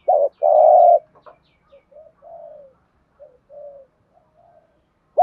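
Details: Spotted dove cooing in the thúc gù style. A loud, sustained low coo opens the passage, followed by several quiet, short, falling murmured notes with pauses between them. A clipped coo returns at the end.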